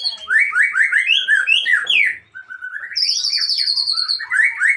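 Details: White-rumped shama, Aceh variety, pouring out its learned imitations: strong, rapidly repeated slurred whistles, a momentary gap, then a long high buzzing trill and further quick whistled phrases.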